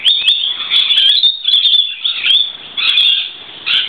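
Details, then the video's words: A noisy flock of lorikeets sheltering from rain on a verandah on a wet day, giving harsh, shrill screeching calls that overlap continuously in dense, chattering bursts with brief lulls between. "Lorikeets On A Wet Day"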